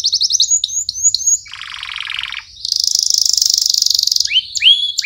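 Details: Canary singing as a tutor for young birds: quick upslurred chirps, then a dense rattling trill, a long high buzzy roll and a few sharp rising notes at the close.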